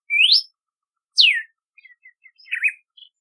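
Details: Red-cowled cardinal whistling a loud rising slur and a falling slur, followed by a string of soft short chips and a quieter wavering note.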